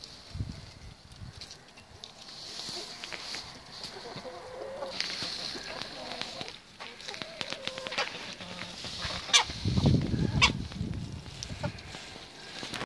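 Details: A red junglefowl cockerel, the only survivor of its brood, in a garden gives low, soft clucks at an uneven pace, with a louder burst of clucking near the end over scattered rustles and faint high chirps.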